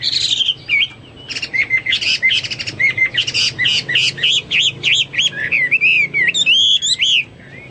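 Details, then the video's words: Lively Hwamei song mixing dense buzzy chattering bursts with repeated clear looping whistles, phrases tumbling quickly at roughly three per second. "Burung Hoa Mi gacor"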